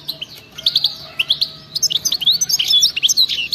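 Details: European goldfinch, wild type, singing a lively run of bright chirps and twittering notes that accelerate into dense, tinkling chatter.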